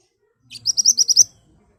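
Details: Ashy tailorbird in lively, sharp-toned song, used as a lure so other birds answer quickly: a short lead-in note, then six high, bright chirps evenly spaced in a quick burst, then silence.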